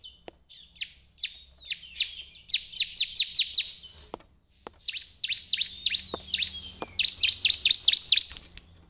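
A bar-winged prinia sings rapid series of sharp, high, down-slurred chips, about four per second, in two bursts separated by a brief pause.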